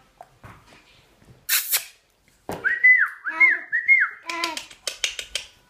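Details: Tommy, a tame six-month-old pet cockatiel, whistles a learned tune in clear, slurred notes, with scratchy chatter around it; he can sing the Addams Family and Laurel & Hardy themes.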